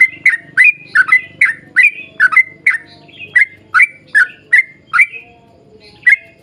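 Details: Sooty-headed bulbul singing a long rapid 'ropel panjang' phrase series for luring other bulbuls: clear, bubbly two-part notes about twice a second over a low rumbling background, thinning toward the end.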